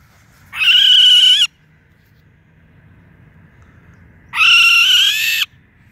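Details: Barn owl attacked by a hawk one morning and knocked down from a palm tree, crying for help. Two long, harsh, rasping screeches, each just over a second, sound about three seconds apart over low background rumble.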